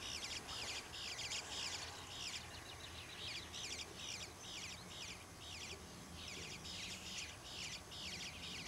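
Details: Young bluebirds begging for food in a back yard in Troy, Ohio: rapid, high, buzzy chattering bursts in overlapping clusters, rising and falling, with steady background hum.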